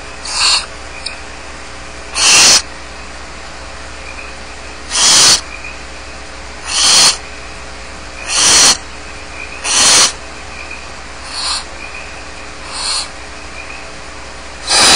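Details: Begging hisses from barn owl nestlings left alone in their nest at Starr Ranch: broad, rasping screeches spaced one to three seconds apart, some louder and some softer, against a constant faint background hum.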